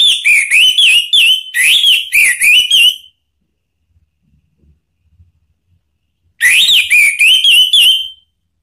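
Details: Orange-headed thrush lure song used to trigger another bird into singing: two bursts of fast ringing whistled notes that swoop down then up, separated by three seconds of near silence with faint low knocks.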